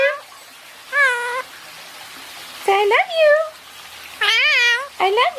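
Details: {'caption': 'Indian ringneck parakeet kept as a pet, talking while basking: four short, nasal, speech-like utterances with rising and falling pitch, separated by quiet gaps in a small room.'}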